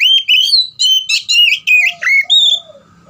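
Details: Oriental magpie-robin delivering a rapid burst of loud, ringing whistled phrases with sliding pitch, about three per second, fading into softer low notes and faint rumble at the end.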